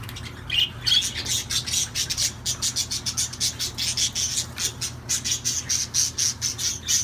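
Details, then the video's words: Budgerigar song: a fast, raspy stream of clicking, buzzy ticks repeated several times a second, with a brief higher chirp near the start, over a steady low background hum. "تغريد طيور الحب"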